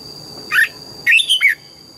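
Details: A red-whiskered bulbul's morning song while practising double notes: one short bubbling note followed by a rapid three-note warbled phrase sliding up and down, over a steady thin high tone.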